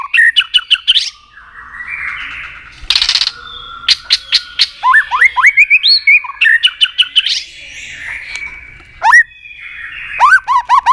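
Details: White-rumped shama in competitive song, switching voices often: clicks and short slurred whistles, a brief noisy burst, then rising whistled notes, bursts of dry clicks and looping, wavering phrases at the end.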